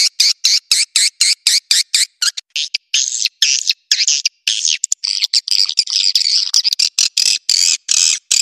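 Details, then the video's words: Swiftlet roosting lure sound: dense, high, buzzy chattering chirps in quick irregular bursts, some drawn out and overlapping into continuous twittering, interspersed with brief sharp clicks; no other sounds. "SUARA BURUNG WALET PANGGIL INAP"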